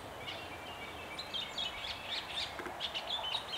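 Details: Chestnut-cheeked starling singing a territorial song in early spring on the Iizuna plateau, a run of short, squeaky, high chirps and whistles, about four a second, over a steady hiss; males fought afterwards.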